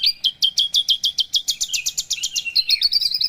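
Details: Javan bush lark song: a fast series of sharp, high chirped notes repeated several times a second, then shifting into quicker, thinner twittering near the end. Nothing else is heard.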